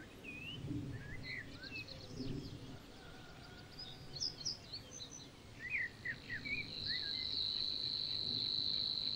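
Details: Savi's warbler in Niepołomice Forest, Poland, June 2020, gives a steady, fast, insect-like reeling buzz that starts late and runs to the end, after assorted chirps and whistles from other birds.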